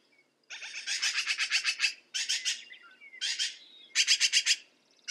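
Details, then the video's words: Rapid rattling chatter from a black-billed magpie in several loud bouts of quick harsh notes, with brief quieter gaps and a faint background bird call. "Black billed Magpie - Bird Sound"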